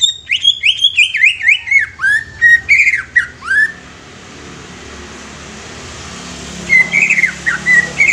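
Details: A young greater green leafbird, kept to stir other leafbirds into singing, opens with a rapid string of descending whistled notes and mimicked chirps, falls silent, then resumes with softer looping whistles over a low rumble.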